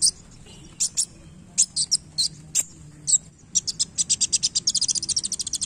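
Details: Sunbird singing hard while playing its tail: scattered high chips and tweets early, then an accelerating, evenly spaced run of rapid sharp notes at the end.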